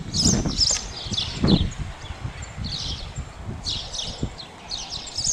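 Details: Spotless starling, Sturnus unicolor, outdoors: bursts of high, harsh chattering notes every second or so, over rustling leaves and low background noise.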